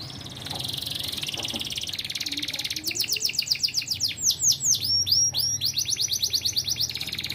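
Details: Canary singing in the 'ting ting' style: a faint buzzy trill, then loud rapid downward-sweeping whistled notes repeated in fast bursts, and a dense rattling trill at the end.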